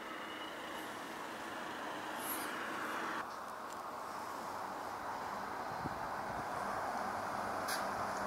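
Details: Continuous broadband hiss and rumble like passing traffic or a train, with a soft knock midway and no animal calls.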